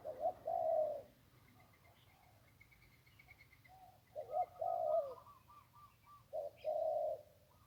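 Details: Zebra dove by the Ping River, Thailand, singing 1-kuk style during decoy trapping: three bursts of warm rolling coos separated by pauses, with a faint higher trill from another bird between them.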